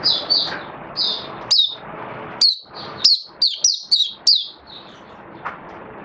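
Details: High, sweet chirps from a caged oriental white-eye in song display, with quick downslurred notes coming in uneven groups over faint background hiss, and a quieter stretch at the end.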